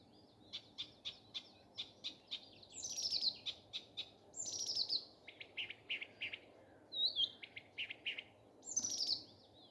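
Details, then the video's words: Nightingale in morning song, opening with a steady run of crisp repeated notes, then sweeping descending whistles broken by short rattling bursts and pauses. "Nightingale singing. Утренее Пение Соловья."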